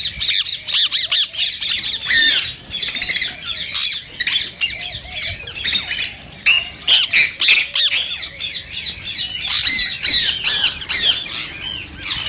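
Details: Rose-ringed parakeet sounds used to stimulate singing and mating: a continuous mix of rapid, harsh screeches and gritty chatter, the calls overlapping closely for the whole stretch.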